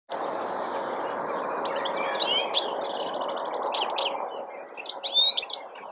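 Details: European goldfinch in a blackthorn bush in April 2021, giving bright tinkling twitters and short buzzy trills in bursts, rising near the middle and end, over a steady broad rumble of background noise that fades toward the finish.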